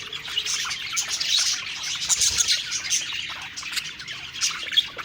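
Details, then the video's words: Cheerful budgerigar song while eating, a fast jumble of high squeaks, clicks and warbled chirps from several birds, loudness rising and falling in small bursts. "Happy Singing & Eating Parakeet Budgies Birds"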